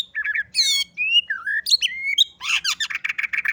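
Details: White-rumped shama of the bordan fighter type, with canary imitations in its song: chattered notes, a sweeping harmonic whistle, varied slurred whistles, then a harsh buzzy burst and fast rattling repeated notes.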